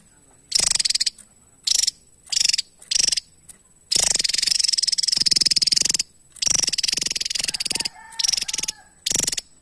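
Javan tesia singing loud, very high, rapid buzzy trills in bursts of about half a second to two seconds, separated by brief pauses, over a faint steady hiss.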